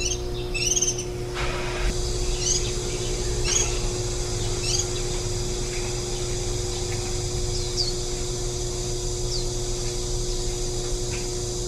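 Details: Warbling white-eye feeding nestlings on 23 July 2018, ten days into rearing and the day before fledging: a few clustered high chirps early on, then sparse thin tweets fading out over a steady low hum.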